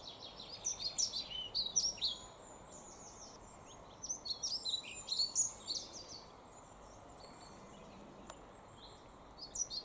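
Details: A male European pied flycatcher announces himself with song in woodland at Gilfach Nature Reserve, mid-Wales, in May 2024: short, sweet, high, rhythmic phrases in bursts a few seconds apart, over a steady low rumble.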